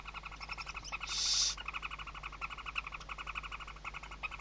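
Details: Western barn owl family at a webcam nest, Riet Vell Nature Reserve, Ebro Delta, Spain, 2023, chicks beneath the mother's wings; steady rapid ticking pulses, interrupted early by one loud half-second rasping hiss.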